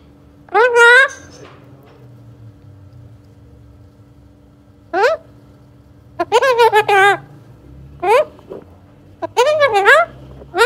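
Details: Young Alexandrine parakeet, a pet bird described as talking, gives a series of rich harmonic calls that waver up and down in pitch. A short call opens, then a cluster of longer wavy notes follows, with quiet room hum between.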